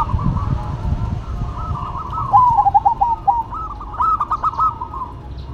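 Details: Zebra doves, a local bird and a cemani bird, singing in duet: soft cooing builds into a bright run of rapid, bubbling, stuttered notes rising and falling over steady background noise.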